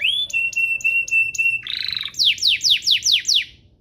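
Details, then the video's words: Domestic canary singing a master song meant for tutoring young canaries and prompting others to sing: a rapid series of high clipped notes, then a short buzzy roll, then six or seven sweeping downslurred whistles. "Suaranya MUDAH DITIRU, Efektif untuk Masteran Kenari Paud dan Pancingan kenari biar gacor"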